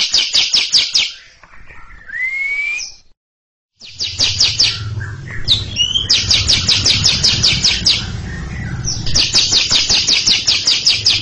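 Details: Repeated long ngekek chattering from a greater green leafbird ready to roll its song in front of a junior: fast rasping pulse runs broken by a rising whistle and mixed notes, over a steady low hum.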